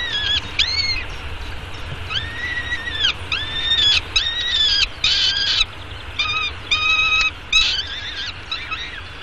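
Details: Young peregrine falcon chick calling while being fed breakfast at an urban Arizona nest, morning of 24 May 2016; a rapid series of shrill, harmonic, arched cries, some harsher and squawking, over a steady low hum.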